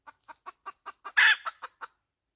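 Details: Six evenly spaced clucks build toward a single loud, coarse squawk from a hen, then three more clucks close the sequence; no other sounds are heard.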